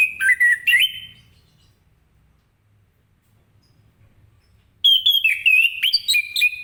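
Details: Morning 'ngeplong' singing from an orange-headed thrush, used to get other birds singing: two quick whistled notes dipping and rising, silence, then a busy run of rapid whistled and chattering notes.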